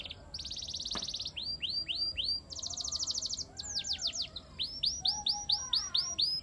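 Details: Canary giving a gacoran training song with mimicked material: high, rapid trills and buzzy rolled notes, then a run of repeated downslurred whistles, with one sharp click near the start.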